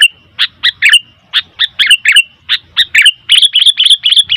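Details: Noisy sooty-headed bulbul calling: quick run of bubbly, slightly burry chirps, roughly four per second, growing denser and louder toward the end, with faint low rumble beneath.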